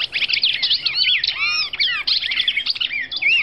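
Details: Female red-crested cardinal from Brazil singing in a dense, unbroken stream of quick chirps and arched, slurred whistles, with higher notes layered over lower downward-curving ones and no pauses.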